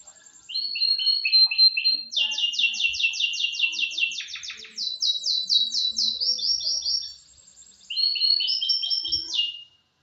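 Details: Canary singing in a morning training session, 25 November 2025: loud, fast trills and rolling sweeps in varied phrases, a brief pause, then another burst of rapid repeated notes ending on a clear whistle.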